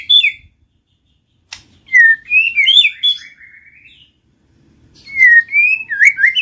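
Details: White-rumped shama lure song: pure whistled phrases that wind up and down, mixed with short high notes, in two bursts separated by silence.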